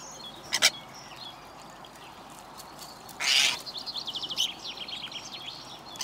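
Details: Male common pheasant in Recke, Germany, in May, loudly announcing his presence: a harsh, explosive crow, then a quick whirring flutter of short rasping pulses, after a brief sharp call from another bird.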